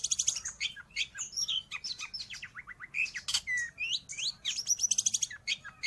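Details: Long-tailed shrike, or cendet, singing for pet-bird training and luring wild birds: a varied, chattering stream of high chirps, falling slurred whistles and short trills, hardly pausing throughout.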